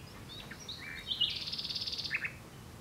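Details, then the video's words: Common nightingale song: a few short whistles and a chirp lead into a loud, rapid, rattling trill of evenly pulsed notes lasting nearly a second, ending in a brief lower flourish. "Nightingale singing"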